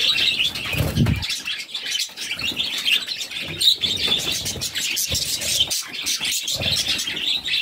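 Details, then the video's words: Mother budgerigar feeding her six chicks; continuous buzzy, high-pitched begging chatter, fast and overlapping, with a few low thuds and rustling sounds. "Budgies baby feeding || Mother budgies feeding her cute babies"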